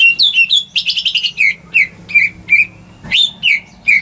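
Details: Home-raised greater green leafbird singing as a lure for birds that have stopped singing. A burst of rapid trilled chirps gives way to evenly spaced, slightly buzzy whistles, with one sharp knock near the end.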